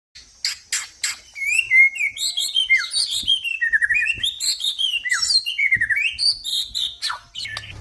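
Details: Male white-rumped shama of a crossbred F series line singing a rich, varied song: clear whistled phrases sliding up and down, interleaved with sharp chips and rapid twittering notes, nearly continuous over eight seconds.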